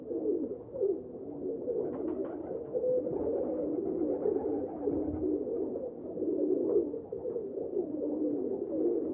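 Pigeons cooing steadily, a low, soft, throaty rolling sound with overlapping phrases that swell and fade every second or two throughout.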